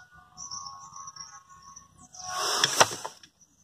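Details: Black vulture chicks at their nest let out a loud, breathy hiss lasting about a second. Thin, high whistled notes and a lower tonal line from another bird come before it.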